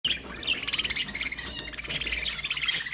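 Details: Pet budgerigars singing, recorded to stimulate other budgies to sing: a fast, dense warble of chattering, buzzy notes and bright chirps, with a steady busy flow and short louder bursts.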